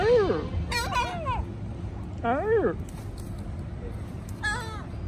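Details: Gulls at Bristol Harbour: loud, nasal, arching cries with rich harmonics, given in short bursts of two or three notes, with pauses between, over a low urban hum.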